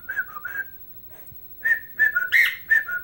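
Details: Brief bit of a pet bird's whistled Chelsea Dagger rendition. Three pure whistled notes, a gap, then a quick run of higher and lower whistles with one brighter, rougher note.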